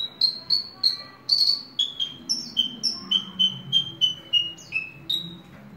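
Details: A ringed Horsfield's bush lark, kept as a hobby bird, repeats crisp whistled notes roughly three times a second, stepping down in pitch in short runs, with faint low rumbling behind.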